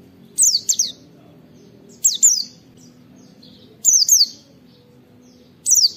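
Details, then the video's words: Rapid wit-wit firing song of a white-eye, meant to coax other white-eyes into opening their beaks and singing: short clusters of sharp, high, falling whistles recur roughly every one and a half to two seconds over soft hum. "Masteran Pleci Nembak Wit Wit"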